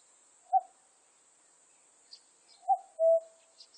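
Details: Cuckoo from a 2020 national biological resources recording: one lone short note, then a single full two-note cu-coo with a higher first note and longer lower second, against a steady high insect hiss and a few faint chirps.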